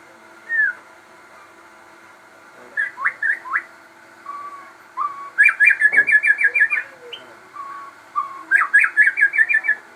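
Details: Crossbred shama singing steadily: scattered whistled notes and short slurred phrases lead into rapid rattling runs of about ten sharp repeated notes, the run delivered twice, with single whistles in between.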